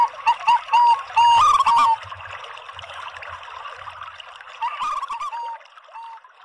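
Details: Lure song mixing local and Bangkok zebra doves, meant to prompt all doves to sing: clipped, bubbling coo phrases early on, then a hissy lull before a softer rolling phrase and a last lone coo.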